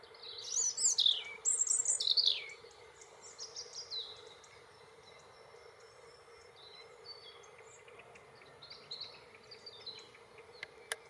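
A European robin sings bright, high, tumbling phrases of thin whistles and quick trills, loudest at first, then softer, over a steady low hum.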